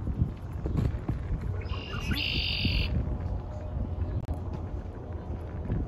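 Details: A red-winged blackbird on the first day of spring gives one brief, buzzy, high song phrase lasting about a second, over a steady low rumble of wind or distant traffic.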